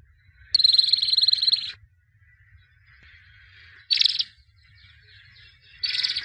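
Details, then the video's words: White albino canary, a 2017 champion singer, in song: a buzzy, dense trill of about one second, then short bright bursts after pauses of near silence. "Εκπαίδευση καναρινιών - θα κελαηδούν σαν αηδόνια White Canary Singing (Albino) Chambion of 2017"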